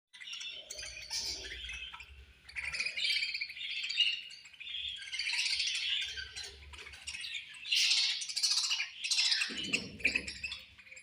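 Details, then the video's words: Budgerigars at feeding time, chirping in a busy flock: continuous warbling chatter and squeaky twitters, with bursts of brighter chirps and a low thump or rustle now and then. "Beautiful Budgies Chirping Sounds"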